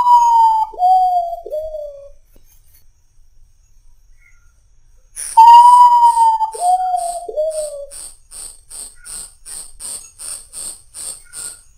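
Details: Urutau, the Common Potoo or ghost bird, at midnight: a mournful whistled phrase of four notes, each stepping lower, given twice with a pause between, followed by a run of rapid high ticking pulses.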